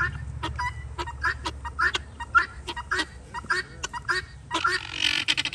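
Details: Free-ranging guineafowl in typical daily behaviour give harsh, raspy, rapidly repeated calls, nearly two a second, overlapping into a noisy chatter over a low background rumble.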